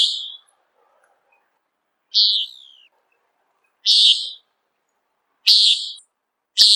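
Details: Common Nighthawk peent calls, given in flight while hunting insects: five loud, sharp, buzzy nasal notes spaced about one and a half seconds apart, one of them trailing off in a slight downward slur, over silence.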